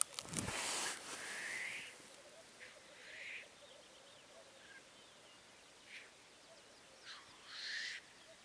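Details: Black grouse: several breathy, hissing bursts stand over a faint, low bubbling murmur. A loud rustling noise opens the recording, and quiet higher bird notes sound between the hisses.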